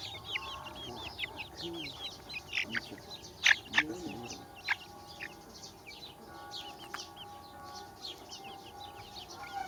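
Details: Many baby chickens give constant thin, falling peeps, with occasional louder chirps, plus a murmur of background voices.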